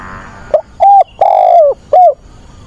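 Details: Decoy spotted dove calling to find a mate, giving a single hollow four-coo phrase: a brief note, a level coo, a long falling coo and a short final note.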